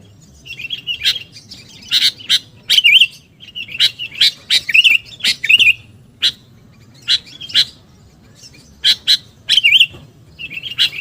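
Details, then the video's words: Sooty-headed bulbul used as a lure for birds: lively mix of sharp chips and short liquid, rising-falling warbled notes in loose bursts, repeated across the stretch with brief gaps. "SUARA PIKAT BURUNG KUTILANG GACOR"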